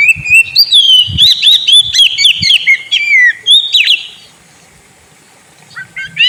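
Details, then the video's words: Kept Oriental magpie-robin (kacer) giving a lure song to stir a sulking bird to sing: a long run of looping whistles with sharp chirps, ending on a downslurred note, then near silence before a final rising whistle. "Pancingan burung Kacer; yang lagi ngambek bunyi"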